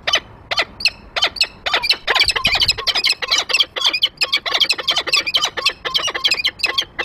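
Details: Peregrine falcon at the nest on 28 February 2023 as the male lands on the grate with prey and the female comes after him: a dense, hurried stream of grating, squealing calls, almost without pause.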